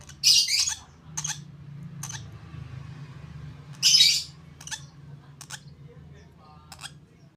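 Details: Lovebird chick, 32 days old, being hand-fed, giving loud harsh raspy squawks in short bursts about every second, with two stronger outbursts, over a steady low hum.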